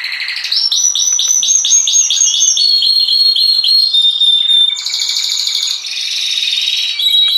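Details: A canary sings a loud, continuous song of rapid trills and rolls, switching between high whistled phrases and buzzy repeated notes.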